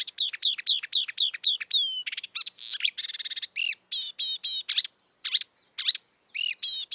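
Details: Wild marsh warbler song: a run of repeated sweeping notes, then a rapid medley of harsh buzzes, trills, clicks and looping whistles, varied and continuous with brief pauses, clean background.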